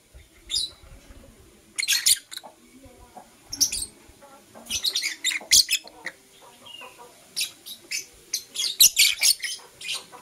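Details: Blue opaline and parblue euwing opaline lovebirds chirping in the morning: bursts of shrill, scratchy notes in irregular clusters, growing busier toward the end, with faint knocks between them.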